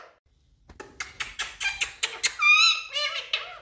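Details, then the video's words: Indian parrots, described as talking birds, calling indoors: a quick run of about eight harsh, rasping squawks, then longer nasal, wavering harmonic calls, with no other sounds. "Talking Indian🎊 Parrots"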